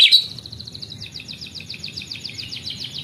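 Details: Oriental magpie-robin, used to coax young, lazy canaries into song: a sharp opening note followed by a fast, even series of repeated buzzy ticks for about three seconds, with low background rumble.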